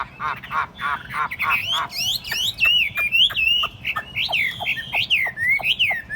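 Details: Tame caged Chinese hwamei on a table: harsh rasping notes open, then a rhythmic chain of loud downslurred and upswept whistles repeated roughly twice a second.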